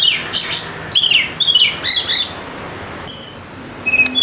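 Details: Kacer, the Oriental magpie-robin, in lure song meant to spur silent birds into full song: several quick, high, descending whistled slurs and chirps in the first two seconds, then near quiet and a short closing burst.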